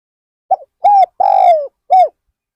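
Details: Spotted dove decoy at Ban Nong Hin, set out to attract wild birds, giving a single phrase: a clipped opening note, a mellow coo, one long gliding downward coo, then a final rounded coo.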